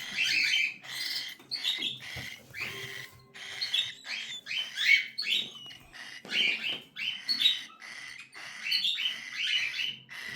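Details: Young cockatiels calling for food: rasping, buzzy begging notes in bursts of several quick strokes, pulses repeating roughly every second with brief gaps, several chicks overlapping.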